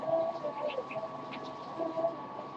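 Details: A pet parrot named Poppy, getting tired near bedtime, sings a little: soft, wavering whistled notes in short bursts, mid-pitched and fairly quiet, against a faint indoor hum.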